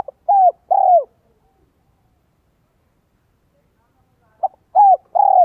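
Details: Spotted dove decoy with a Vietnamese 'giọng son 1 cốt lỡ' voice style, used to lure wild doves: two mellow cooing phrases, each a short note then two longer, falling coos, with a quiet pause between them.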